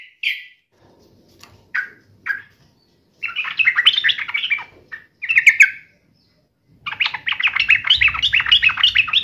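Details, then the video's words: Sooty-headed bulbul in fighting mode: scattered short calls at first, then bursts of busy chattering that build into a long, steady run of rapid bubbly notes. "trucukan gacor FULL TARUNG NGAMUK"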